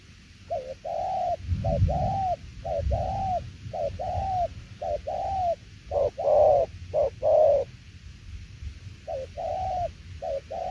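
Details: Spotted dove cooing in tiểu liên nước style, short-long pairs of low mellow notes about once a second, with a low rumbling noise early on and a louder stronger burst of coos midway.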